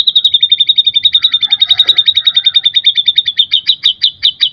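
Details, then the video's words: Song of a white-rumped shama, used to get other birds singing: a fast, steady series of sharp, high chipping notes, about three to four per second, loud and even throughout with a faint lower warble midway. "murai batu gacor full isian"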